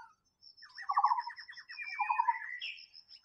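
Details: In the wild, a white-rumped shama delivers a rapid rattling trill of repeated notes, a low burry phrase, then a rising clear whistle, against a steady high-pitched whine.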